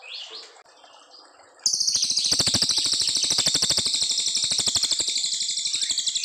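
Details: Brown fulvetta singing a long, clear song for training white-rumped shamas: soft high twitters give way to an abrupt, loud, fast trill of rapidly repeated sharp buzzy notes that continues steadily to the end.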